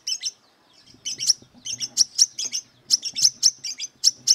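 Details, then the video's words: Brown-throated sunbird singing wiceh-style, aggressive and seeking rivals: rapid paired and tripled shrill chirps repeated in quick succession, with a faint low rumble underneath. "Burung Kolibri Kelapa Wiceh Gacor Beset Tarung Mencari Musuh"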